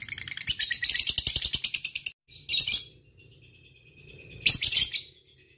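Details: Lovebird 'ngekek' trill, used as a lure for calling a rival: a burst of fast, shrill chirping, a brief gap, another short rattle, a thin high whistle-like tone, then a final harsh chattering burst.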